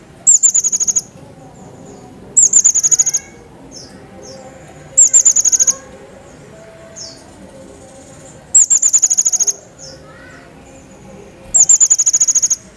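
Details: Pygmy bushtit song used as tutoring for other cage songbirds: five short bursts of very high, rapid chittering notes, spaced a few seconds apart, with faint high tones and quiet background between.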